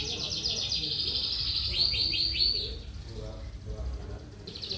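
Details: Lark singing 'trotolan' style, fast buzzy chatter giving way to a series of ringing, rising trilled notes. Quieter low murmurs follow before the high chatter returns at the end.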